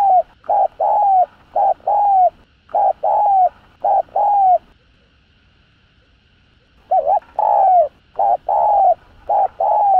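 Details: Spotted dove cooing to stimulate other doves, kept bird: loud hollow coo phrases of several notes, the final note longer and falling, repeated in series with a gap of silence midway.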